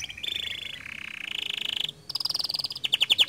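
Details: Gacor canary whose song is meant to make other canaries join in: a long, even, fast rattling trill, a short break, then a higher trill ending in louder separate falling notes.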